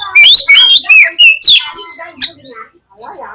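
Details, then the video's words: Oriental magpie-robin (kacer) song used as a lure to make lazy birds spread their tails and fight: loud, clear whistled phrases sliding up and down, quick varied notes with short pauses, then a faint, softer tail end. "PANCINGAN KACER YANG MALAS BUKA EKOR SEKALI DENGAR AUTO FIGHTER"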